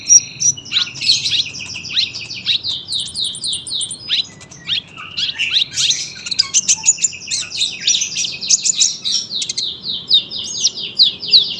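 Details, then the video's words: Sunbird in full, long-running song, packed with fast high twitters and short descending trills, about three notes a second, barely pausing; quiet low background hum. "KOLIBRI GACOR PANJANG SUARA RAPET"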